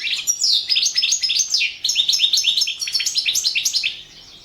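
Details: European goldfinch of the Balkan form, recorded for a 2017 internet singing championship: loud, rapid tinkling twitter, short rising and falling notes repeated about four per second, liquid and metallic, fading off near the end.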